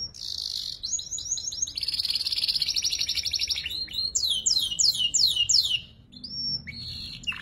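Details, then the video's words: Young canary learning to sing in the ngeriwik style, used as a tutor song for murai and kacer fighter birds; sweet whistles give way to a long buzzy trill, then rapid falling whistled notes and a short flat whistle. "PANCINGAN KENARI PAUD BELAJAR NGERIWIK"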